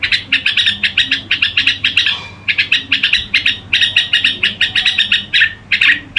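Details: Bulbul, red-whiskered, in gù song: tight runs of rapid buzzy notes, a short break around two seconds, then more runs ending in a few separate slurred phrases.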